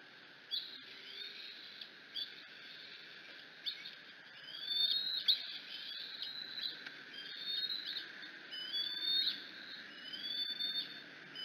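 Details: Bald eagle eaglet at the Decorah nest, screeching as its mother arrives with a clump of grass; thin, high whistled screeches rising and falling, repeated in a series through the middle and end, over steady high-pitched background hiss.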